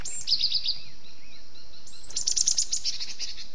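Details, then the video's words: Lure recording of a gelatik batu (cinereous tit): a quick burst of shrill high notes, a short pause with soft faint chirps, then a longer fast rattling series of bright piercing notes. "SUARA BURUNG GELATIK BATU PALING AMPUH || suara gelatik batu kejepit."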